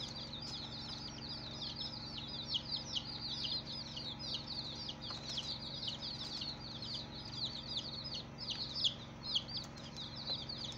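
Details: Baby chickens on their first day: a brood peeping together in dense overlapping high, downward-sliding chirps, with a steady low hum underneath.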